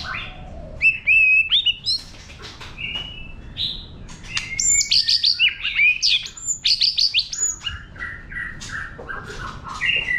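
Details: White-rumped shama singing forest-type song intended to stimulate other birds: loud rising whistles and clicks, rapid repeated high notes about three per second, then a run of lower even whistled notes.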